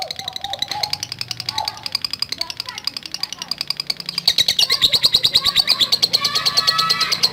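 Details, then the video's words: Lovebird ngekek chatter meant to provoke other lovebirds: a softer stream of high, rattling pulses with lower whistles and a voice at first, then a louder, denser burst of chatter. "Love Bird NGETIK Latah Gacor Ngekek Panjang"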